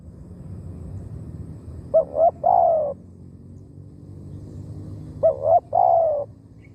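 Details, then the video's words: Spotted dove used as a decoy bird for luring wild doves to a trap: two cooing phrases about three seconds apart, each a short double note then a longer, rolling, falling croo, over low rumbling background noise. "เสียงนกเขาใหญ่ต่อ หมาน ๆ นกป่าเข้าไว"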